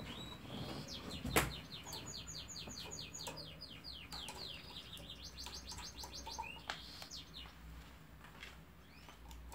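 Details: Faint canary song with rapid rolling trills of short repeated notes, changing tempo and pitch between phrases, plus a thump near the start and a constant low background hum.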